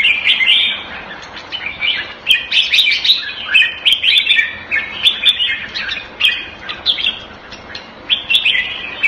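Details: Red-whiskered bulbul, caged and kept Thai style in Singapore in February 2018, repeats short bursts of cheerful whistled warbling, separated by brief quieter moments.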